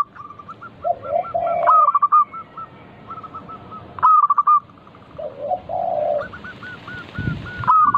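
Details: Zebra dove of local stock, played as a lure to get other doves singing: rhythmic series of short soft coos repeated in phrases, with lower rolling purring notes between them and a loud burst of noise near the end.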